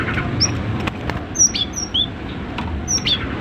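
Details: Cinereous tit singing actively, recorded as training song for other birds: thin high whistled notes, some slurred downward, given singly and in pairs over about three seconds against steady low background noise.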